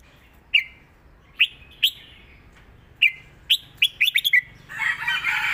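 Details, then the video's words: Caged Red-whiskered bulbul, a Thai song bird, giving its 'rik' southern-style model song: about ten short, bright whistled notes, first spaced then in a quick cluster near the end, followed by a burst of broadband rustling noise. "นกเสียงทอง ร้องริก/เพลงใต้แม่บทชัดๆ"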